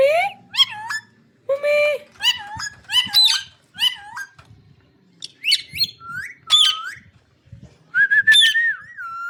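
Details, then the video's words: Green parrot talking: a run of clear, tonal speech-like phrases with rising and falling whistled syllables, some sliding notes and short squawky bursts, separated by brief pauses. "Green parrot talking"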